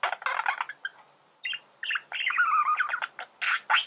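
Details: Male budgerigar song used to teach birds to sing: a rough chattering burst, a pause, then squeaky notes and a longer scratchy warble, with harsh noisy bursts near the end.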